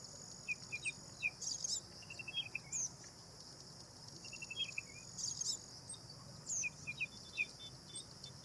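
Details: Black drongo (Dicrurus macrocercus) giving short sharp chirps and harsh, scratchy high notes in scattered bursts, with a quick run of rapid even notes near two seconds and again near five seconds, over a steady shrill insect drone.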